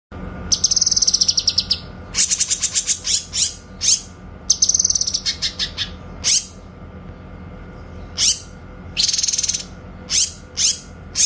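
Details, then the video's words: Grey-cheeked bulbul in a clear 'tembakan' (shot) style master recording for training songbirds such as the white-rumped shama: high, buzzy trilled bursts, some held as rapid rattling phrases, others short sharp notes, repeated over about eleven seconds with a faint low hum. "MASTERAN BURUNG CUCAK KINOY SUARA TEMBAKAN JERNIH"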